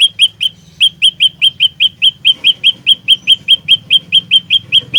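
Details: Lure olive-backed tailorbird of fighter type keeps up a continuous, ringing series of sharp chirps: three notes, a short break, then about twenty quick even repetitions above a low hum.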